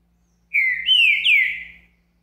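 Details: Captive male-trained Green-winged Saltator, morning, singing the day after diet handling: a loud, clear whistled phrase of three slurred, downward-sliding notes lasting about a second and a half, over a faint low hum.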